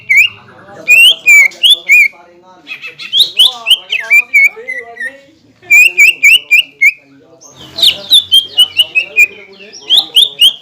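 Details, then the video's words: Persistent green leafbird song meant to rouse rival birds to sing, reportedly mixing kingfisher and magpie robin sounds. Bursts of quick bright chips and down-slurred whistles, about four notes a second, separated by softer warbling passages. "PANCINGAN CUCAK IJO GACOR PALING AMPUH MENAIKAN EMOSI LAWAN AGAR BUNYI DAN GACOR"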